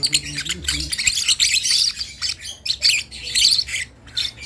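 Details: Lovebird chick learning to make sounds: high, scratchy chirps and short squawks in rapid, uneven bursts, with brief gaps between clusters.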